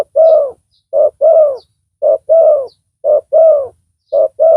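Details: Spotted dove used as a decoy to lure a rival, with a big voice: loud low coos in paired phrases, a short note then a longer falling one, repeated about every second in a quiet setting.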